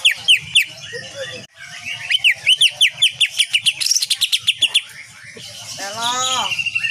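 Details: Greater green leafbird singing actively in a training recording for cage birds, a song style called tembakan kapas tembak nyengklir: fast, loud, repeated sweeping whistled notes about five per second, followed by a rattling, buzzy trill.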